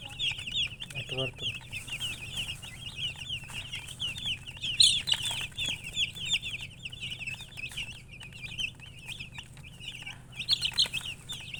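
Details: Chicks peeping continuously: dense, high, quick chirps in overlapping streams, short squeaky notes repeated rapidly throughout, with a brief louder burst near the middle and faint low hum beneath.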